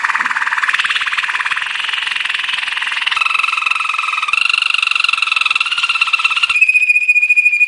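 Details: Belgian Waterslager (Malinois) canary training song: a continuous bubbling rolling trill that steps to new pitches every second or so, giving way at the end to a clear sustained whistle.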